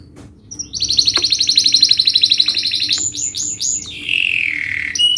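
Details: Vigorous canary song in fast, sharp 'speed' style for training young canaries: a rapid pulsing trill, a few clipped upslurs, then a lower sliding warble, with a faint background hum.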